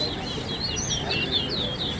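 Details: Caged chestnut-bellied seed finch, locally called towa towa, singing in a B class bird-song competition at Lusignan, Guyana. Fast, high warbling run of looping whistled notes, rising and falling, over low rumbling background noise and murmured voices.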